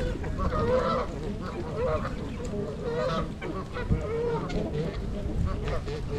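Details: On January 8, 2022, at Gallup Park, Ann Arbor, Michigan, a wintering group of 42 trumpeter swans, adults and juveniles, filmed with a GoPro: mellow, horn-like honks in short series, fairly steady throughout, against a soft background rumble.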